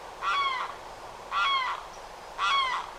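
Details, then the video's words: Florida Limpkin giving loud screaming, crying calls: three evenly spaced wailing cries about a second apart, each a harsh, slightly falling shriek rich in overtones, with near silence between. "Limpkin The Calls and Sounds of Florida's Loudest Bird"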